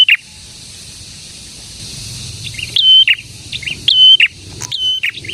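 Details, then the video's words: Prolific prinia song (prenjak tamu or prenjak merah): after a quiet start, three rapid phrases of a rising note, a steady whistle and a lower burst, with soft chirps from other birds between them. "BURUNG PRENJAK GACOR INI AMPUH UNTUK MIKAT PRENJAK DAN PANCINGAN PRENJAK BISU AGAR CEPAT BUNYI"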